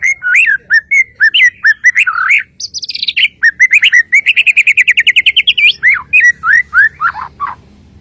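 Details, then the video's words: Kalimantan white-rumped shama singing a lively medley: looping whistled notes, a high buzzy passage, then a fast even run of about twenty repeated notes and closing down-slurred whistles. "TERNYATA SEPERTI INI SUARA❗ burung murai batu Kalimantan"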